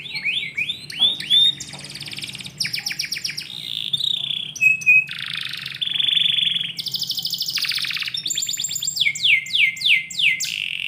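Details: Indoor canary in the morning opens with rising chirps, moves through buzzy trills and held tones, and closes with a series of swooping down-slurred notes over a quiet hum.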